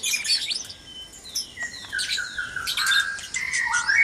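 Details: White-rumped shama noisy at dawn in a breeding cage: varied clear whistled notes, some falling and some held, woven with dense high thin chirps and twitters, bursts following one another without pause.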